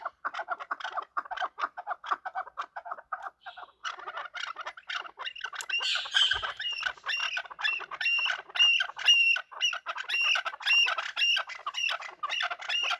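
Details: Chukar partridges fighting and calling: a fast run of clucking notes, then high squawking cries repeated over and over with the clucks.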